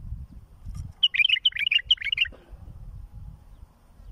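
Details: Bulbul song played for tutoring young birds and raising chicks: one bright phrase of quick, chirpy whistled notes lasting just over a second, followed by quiet with faint low rumble.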